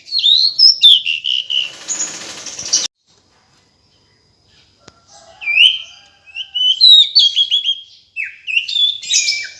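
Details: Female decu bird calling in two bouts of high, varied chirps and whistles. The first bout is partly covered by a rustling hiss, and several seconds of silence separate the bouts.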